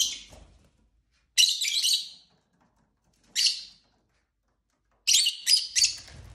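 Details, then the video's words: Group of five pet lovebirds of several colours, chirping and fighting: loud rasping high chirp bursts about a second long, then a shorter burst, then a rapid cluster of three harsh notes. "Lovebird Craziness (singing & chirping & fighting sounds)"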